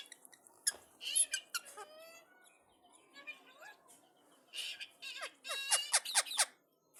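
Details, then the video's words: Indian ringneck parakeet responding to another parrot: scattered quiet chatter and squeaks, then loud, harsh, rasping squawks in a quick run near the end. "Ringneck Talking Parrot"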